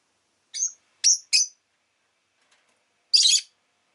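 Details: Rosy-faced lovebird calling three quick, piercing whistled chirps in a row, then a broader, rougher squawk after a pause.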